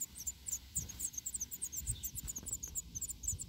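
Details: Black redstart nestlings, six days old, calling for food in the nest: a dense stream of very thin, high-pitched cheeping notes from several chicks overlapping, with low rumbling handling noise underneath.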